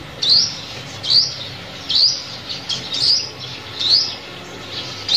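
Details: Lure call of a sunbird for trapping birds, with sharp rising high-pitched tsweet notes coming roughly once a second, six or seven in a row, over a low background hiss.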